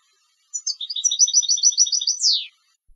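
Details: Competition European goldfinch song: a rapid, tinkling phrase of repeated high liquid notes lasting about two seconds, closing with a quick downward slurred sweep.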